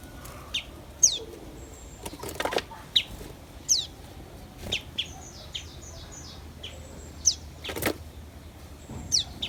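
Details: Common tailorbird, a parent bringing caterpillars to feed its chicks: sharp, high descending chirps scattered every second or so, a quick run of short even notes midway, and several dull knocks and rustles.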